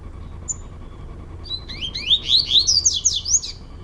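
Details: Indoor singing contest of caged male double-collared seedeaters, Brazil; one short high whistle, then a fast, loud series of rising sweeping whistles repeated roughly four times a second.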